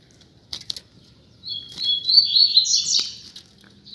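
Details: A pair of rusty-collared seedeaters kept out on the street: after a few sharp clicks and flutters, a high, rapid warbled phrase of slurred notes runs for about two seconds, rising toward the end.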